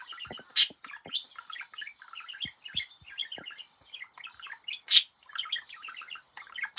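A budgerigar warbles nonstop, a fast chatter of high chirps broken by sharp clicks.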